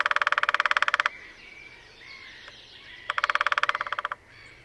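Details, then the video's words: Lesser spotted woodpecker, one of a pair holding territory at Sandemar Reserve in Sweden, drumming in display early on a sunny morning, parabola-recorded: two quick, even rolls of about a second each, with thin bird calls between them. "Display of Lesser Spotted Woodpecker"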